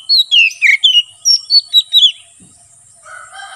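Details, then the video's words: Oriental magpie-robin, locally kacer, giving ngeplong song suited to training and luring wild birds in forest: eight clear whistled notes in two seconds, mostly down-slurred, followed by a lower buzzy harmonic sound. "BURUNG KACER NGEPLONG SUARA COCOK UNTUK MASTERAN DAN MIKAT KACER DI HUTAN"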